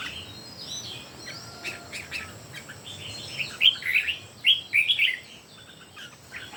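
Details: Red-whiskered bulbuls singing against each other, three birds in all: faint thin notes at first, then a loud burst of rapid, rich whistled notes in quick succession near the end.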